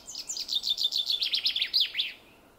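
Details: Common chaffinch singing in a forest: a fast, bright descending trill of sharp repeated notes that speeds up into a short flourish at the end, lasting about two seconds, with a quiet background.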